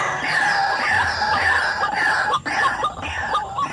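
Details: White-breasted waterhen played to lure wild birds: a continuous harsh, grating croak with strained, warbling phrases and one short break.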